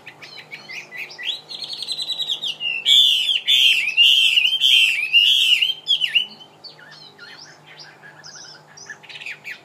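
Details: The mi, a Vietnamese pet songbird, builds from soft chirps into a loud, rolling series of wavy whistled notes, then trails off into quieter scattered twitters.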